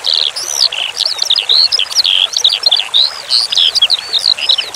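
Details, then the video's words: Eurasian skylark song for training cage birds: busy, high warbling of looping whistles, sharp chips and fast twittering runs that pours on steadily, with running water hissing behind. "Masteran Suara Branjangan Sky Lark"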